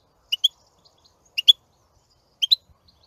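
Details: European goldfinch giving sparse, paired high chirps, each pair clipped and bright, repeated roughly once a second with silence between.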